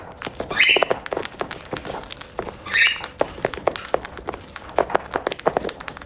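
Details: Cockatiel eating, giving two brief scratchy ascending squawks about two seconds apart, with dense clicking and tapping from pecking at food throughout.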